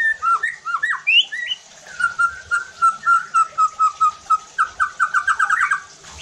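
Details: Captive White-rumped shama song used as a lure to excite other shamas into loud, full singing: varied whistled opening phrases, then a rapid series of short clear whistles repeated about three times a second.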